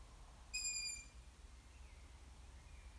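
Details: Long-eared owl youngster uttering one piercing, level, squeaky whistle of about half a second, followed by fainter, more distant squeaks, against a calm low background.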